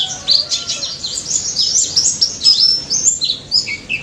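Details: Pleci daput white-eye singing loudly and continuously as a lure for mute white-eyes: a tight run of high, bright twittering notes with quick slurs, barely pausing over four seconds.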